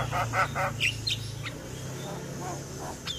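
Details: A male Javan myna, used as a lure to stimulate reluctant mynas, opens with three harsh, nasal notes in quick succession, then scattered sharp whistles, over a steady low mechanical hum.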